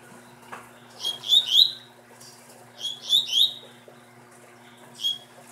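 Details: Captive double-collared seedeater from breeding stock sings short phrases of two or three slurred, whistled notes, each sliding downward with a bright overtone. The phrases come about two seconds apart, followed by a single closing note. The background is quiet, with a faint low hum.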